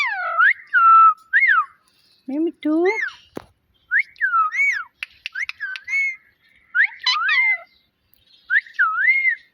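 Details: Domestic talking parrot mimicking speech and meowing: bright up-and-down whistled phrases, a burst of two harmonic meow-like calls, a sharp click, then more twisting whistles and chirps.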